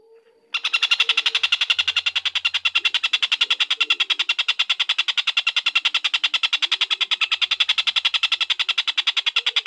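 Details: Collared kingfisher (tengkek buto) giving a long unbroken call: rapid, buzzy, harsh notes repeated about three and a half times per second at a very steady pace for nine seconds, with faint low murmurs underneath.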